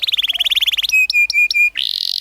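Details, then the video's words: Short burst of canary rolling song for training young canaries: a rapid pulsing trill, four clipped level notes, then a rising buzzy sweep. "PANCINGAN Kenari GACOR NGEROL Masteran Ampuh UNTUK KENARI PAUD BELAJAR BUNYI NGRIWIK"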